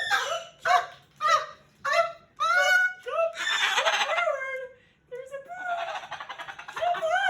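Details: Pet male Moluccan cockatoo indoors, very vocal before bed while being played with and talked to, recorded June 2020: harsh, honking screeches in rapid bursts, then longer raspy, broadband squawks with a rising tonal note at the end.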